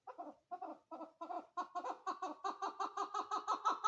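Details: Female chukar partridge calling in a close, clear recording: several spaced chuk notes, then a quick, even run of about three per second, each note rough and rising slightly in loudness toward the end.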